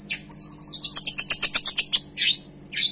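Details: Long-tailed shrike in chatty gacor song with rich fill-in, delivering a fast rattling run of about fifteen clipped notes, followed by two longer buzzy bursts over a faint low hum.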